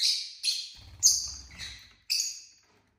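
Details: Pet lovebirds, six kept together indoors on a lazy Saturday: five shrill, screechy chirps, each sharp and quickly fading, spaced roughly every half second with a short pause before the last.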